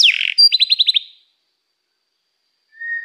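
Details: Brief canary phrase: a harsh buzzy note followed by about six rapid chipping notes, then silence and a faint, steady whistle at the end.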